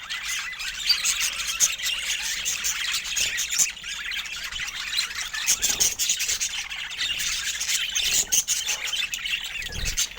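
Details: Pet budgerigars giving a continuous, dense chatter of high squeaky chirps and warbles, with many overlapping notes and sharp clicks throughout and no clear pauses.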